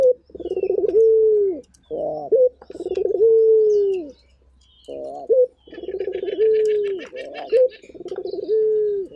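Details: Chatty local turtle dove repeating its call: rapid stuttered pulses running into a sustained low coo that sags at the end, plus short rising notes between phrases; faint high twittering from other birds.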